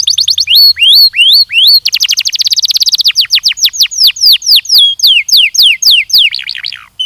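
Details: Belgian canary training song opening with downward-swept whistles, then a dense rapid trill, followed by a long series of clear descending slurred whistles repeated roughly twice per second, ending in a softer jumbled twitter.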